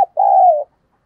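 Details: Spotted dove kept as a decoy, calling to attract wild doves, giọng thổ voice: a quick clipped note followed by a single drawn-out, smooth, mellow coo that eases gently lower at its end.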